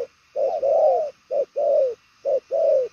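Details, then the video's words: Spotted dove of the type keepers call đồng son chân tím, cooing very well in a fast, far-carrying style: short note then longer, slightly falling coo, paired phrases repeated about once a second. "Đồng son chân tím gù quá tốt, nước xa tốc độ bài lối"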